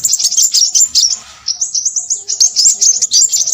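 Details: A crimson sunbird gives a burst of thin, high chattering notes, falls quiet for half a second, then launches into a fresh run of sharp squeaky twitters.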